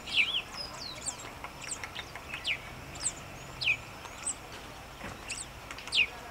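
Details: Nubian woodpecker filmed in Bahir Dar, Ethiopia, on June 18, 2021, giving quick, high downward-slurred calls every second or so, mixed with scattered chirps from other small birds.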